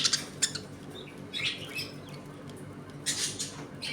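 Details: Pet budgerigars in a home colony while eating, playing and fighting: scratchy, broadband squawks and chirps in bursts, some quick and clipped, others drawn out, separated by short quiet gaps.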